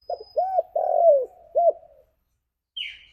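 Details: Spotted dove calling its companions: a short phrase of four low, hollow, arched coos, the third drawn out and longest, ending in a soft trailing note, then a brief high chirp from another bird.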